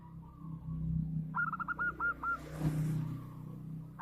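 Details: Local zebra dove in full song, noted for its big voice: one quick stuttering phrase of rapid, evenly spaced cooing notes, slightly falling, over a steady low hum.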